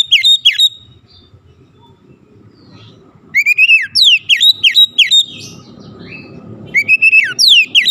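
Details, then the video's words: White-rumped shama song as a provoking lure for other shamas: falling whistled notes, a pause with faint background murmur, then two further bursts of loud, rapidly repeated downslurred whistles. "PANCINGAN KACER ANTI BISU mancing Kacer lain cepat emosi dan gacor"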